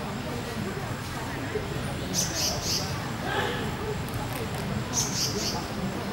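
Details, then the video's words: Grey-headed canary-flycatcher giving two quick bursts of three very high, thin, sharp notes, about three seconds apart, over steady hiss and faint murmur. "Grey-headed Canary Flycatcher"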